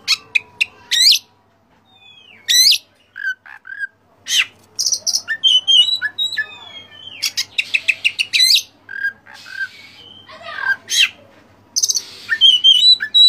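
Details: Oriental magpie-robin singing gacor, full of rich filler phrases: sharp high chips in quick clusters, slurred whistles and buzzy rattles, dense and varied, with brief pauses between bursts.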